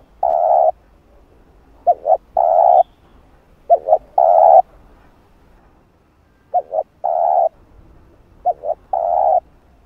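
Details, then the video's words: Spotted dove (cu gáy) calling to stimulate wild doves. A steady long coo, then phrases of quick doubled short notes and a long flat hoarse coo, repeated about every two seconds. "Cu Gáy Giọng Hạp Bổi Đủ Bài [ GÁY GỌI + THÚC + Gù ] Kích Cu Gáy Bổi Gáy"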